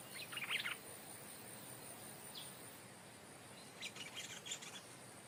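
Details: Decoy stripe-throated bulbul, never before taken into the forest, brought back to its capture site to call toward the new territory holder; two separate bursts of rapid bubbly chattering notes with a soft note between them, over steady hiss.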